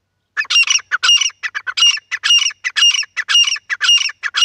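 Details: Partridge from a set of wild, hunting and female calls: loud rapid chattering series of harsh squawking notes with ringing whistled overtones, repeated in quick rhythmic groups, about two per second.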